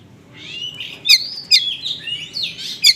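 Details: Oriental magpie-robin singing in the konslet style with small-bird material, used as a lure to provoke poorly responding magpie-robins; high whistled and buzzy phrases with sharp bright notes spaced about every half second, faint low hum beneath.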